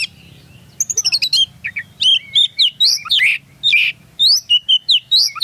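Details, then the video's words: Oriental magpie-robin, a caged champion singer filmed from just below its cage during a Singkawang song contest; rapid run of high chirps leading into varied loud whistled notes, sweeping up and down, nearly continuous. "Testing Vokal Kacer SNIPER Di Bawah Gantangan"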